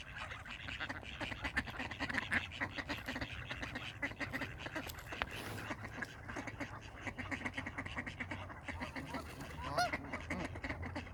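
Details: Several ducks squabble while fighting, making a dense, noisy jumble of raspy quacks and scuffling sounds, with a brief rising squeak near the end.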